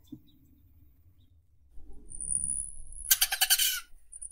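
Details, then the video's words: Rufous hummingbird: a thin, steady, very high whine lasting over a second, then a short harsh buzzy chatter of about six rapid pulses in under a second, then faint high tones; soft low background rumble. "Голоса птиц Как поёт Колибри охристый (Selasphorus rufus)"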